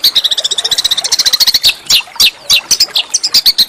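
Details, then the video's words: Small songbird master song for white-rumped shama and magpie-robin training: a rapid even rattle of high chips for over a second, followed by loud, spaced, downslurred squeaky notes. "masteran burung kecil agar murai batu gacor"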